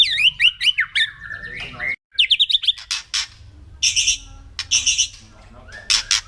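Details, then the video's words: White-rumped shama kretekan meant to rouse other birds to anger: rapid zigzag chirping trills, a short silent break, more fast chirps, then harsh crackling bursts with buzzy, stacked notes. "KRETEKAN MURAI BATU LANGSUNG AUTO EMOSI"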